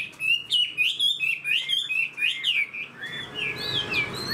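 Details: Fan-tailed caged Chinese hwamei gives a fast series of bright whistled notes, each a short slurred loop repeated about four times a second, then softer, more distant-sounding phrases trailing off.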